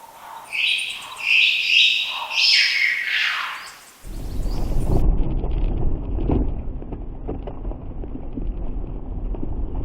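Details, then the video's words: A Superb Lyrebird gives about four seconds of loud, clear mimicry of barking and whistles: bright whistles and short bark-like notes in quick succession, then a steady low rumble of wind or traffic. "We also collected another lyrebird mimicking the barking and whistles. I do catch it all the time, but I've included this one because it's so clear."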